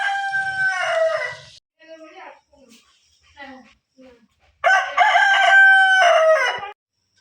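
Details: Domestic rooster in a village crows twice, each a loud, harsh, drawn-out call with a strained, wavering tail; the rooster has been crowing repeatedly.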